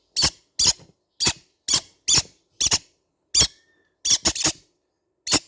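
Young green-cheeked conures give about ten short, harsh, raspy squawks at uneven intervals, some in quick pairs, in a quiet room.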